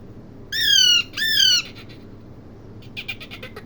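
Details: Parrot uttering two loud, harsh squawks in quick succession, each holding steady then dropping slightly, followed by soft rapid clicking chatter.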